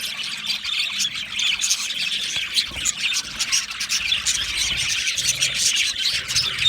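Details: Australian budgies chirping together, a dense, continuous chatter of high, scratchy chirps and warbles with short squeaky notes scattered throughout and no pauses.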